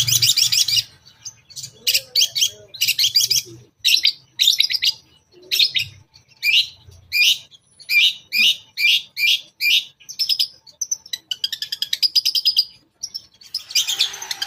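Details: Lure song of a Long-tailed shrike, toet toet type joined with fill notes to draw other shrikes: a long run of harsh, chattering high notes in evenly spaced clusters, later speeding into rapid twittering trills.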